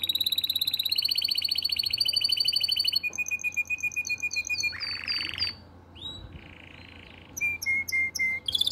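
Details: Canary singing in breeding condition and calling to the female: very fast, high rolled trills repeated several times a second, shifting between tours, then a harsh buzzy burst, a brief pause, a flat rattle and closing clipped whistled notes.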